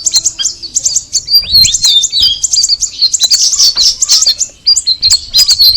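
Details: Sooty-headed bulbul song made of quick sharp chirps mixed with descending whistled slurs, delivered in close clusters with scarcely any pause.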